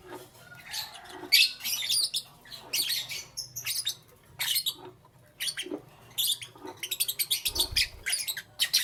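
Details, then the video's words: Busy morning chatter of lovebirds, fast irregular sharp high chirps and squeaks tumbling over one another, with a short low thump near the end. "Lovebirds Chirping Sounds"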